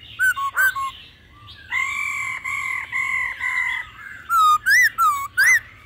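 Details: Laughingthrush in the mature wild-forest voice style, with female calls, used to excite birds into song. Short clipped notes lead into four sustained level whistles, then a rapid run of looping, upslurred and downslurred phrases.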